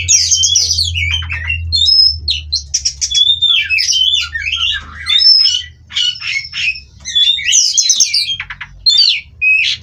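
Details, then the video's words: Oriental magpie-robin, a farm-bred Indonesian kacer of the Cirebon race, sings a long varied song meant to settle birds on the perch: rapid whistles, trills, harsh squawky notes and rising slurs, barely pausing, with low hum underneath. "Terapi Burung Kacer Agar Stabil di Pedok. Bikin L4w4n Mbagong"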